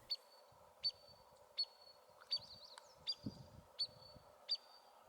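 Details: Spotted sandpiper searching for food at a small pond gives sharp, high 'weet' alarm notes about every three-quarters of a second, with one brief twittering run midway, over faint low rumble; a fledgling was with it.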